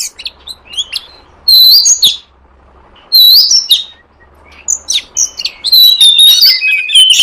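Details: Oriental magpie-robin from the wild forest, recorded as a lure call: bursts of bright whistles and sweeping notes separated by quiet gaps, ending in a run of rich, varied phrases.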